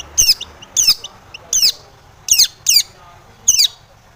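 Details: Long-tailed shrike giving loud rasping notes meant to provoke rival shrikes: six harsh, scratchy bursts, some doubled, spaced irregularly over a few seconds with little else audible.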